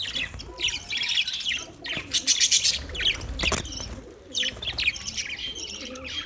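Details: Budgerigar chatter: overlapping high warbling chirps and short trills, with clicks and a burst of fluttering sounds midway.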